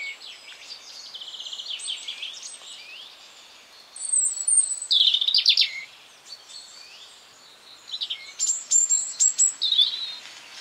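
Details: European robin singing in spring in a garden: high, thin phrases of tumbling warbled notes and sliding whistles, short bursts separated by pauses, with faint quieter birdsong in the background.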